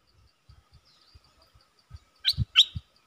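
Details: Streak-eared bulbul kept as a decoy bird to lure wild birds, recorded 3 June 2021. Two quick, bright, sharp chirps come close together near the end, after a series of soft low thumps and faint high ticking.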